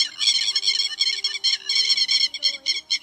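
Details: Grey-headed lapwing recording used as a lure for night net-trapping of migrating birds in August, giving harsh, scratchy chattering notes in quick bursts, several per second, over a faint low electrical hum.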